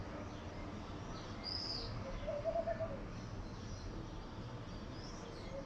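Laughing Dove giving a soft, quick run of about five low bubbling coo notes, over steady background rumble and a brief high chirp.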